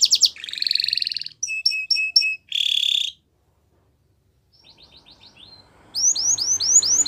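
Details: Belgian canary phrases: a buzzy rolling trill, a few clipped high double notes, and another harsh trill. Over a second of quiet with faint soft notes follows, then loud rising-and-falling whistles resume.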